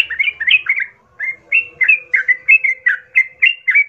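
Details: A sooty-headed bulbul's lure song for provoking fights: a burst of bubbly warbled notes, a short pause, then a steady series of bright, clear two-tone whistles about every quarter second.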